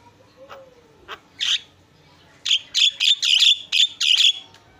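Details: Javan myna in full isian song: a few scattered soft notes and a thin falling whistle, then a rapid string of loud, buzzy, high squeaky bursts repeated about three times a second.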